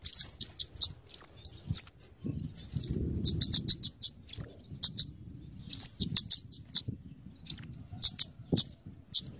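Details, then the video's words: Scarlet-headed flowerpecker, locally cabe cabean, used for luring and tutoring: high rising upswept notes each followed by quick runs of sharp ticks, repeated through the recording over a low rumbling background. "suara burung kemade atau cabe cabean gacor cocok untuk pikat dan Masteran"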